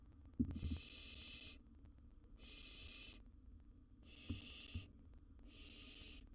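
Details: Wild barn owlet in a nest box dealing with a massive gerbil, producing four drawn-out raspy hisses about a second long, with a few soft knocks and a low hum beneath.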